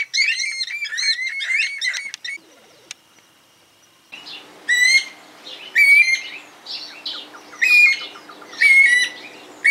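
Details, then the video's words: Bird from the pigeon and cuckoo families, recorded in 2018: high, clear whistled notes that slide downward, given in short phrases roughly every second and a half, with a chattering bout at the start and faint background calls. "Cantos y gritos de aves Familias Columbidae y Cuculidae"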